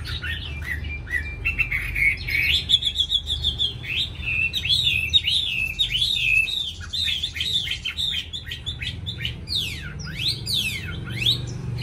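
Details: Chinese hwamei kept in a cage in Hanoi, a bird said to start singing readily. It pours out a long varied warble of rising and falling slurred phrases, ending in a series of sharp downward-sweeping notes.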